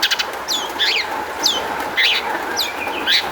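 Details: Long-tailed shrike song used as a lure to make other shrikes sing: sharp descending whistled notes with buzzy, scratchy phrases, delivered roughly every half second over a steady hum.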